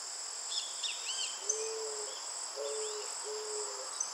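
Eared dove giving low, soft, level coos, three in under three seconds, over a steady high insect drone and a few thin chirps from other birds.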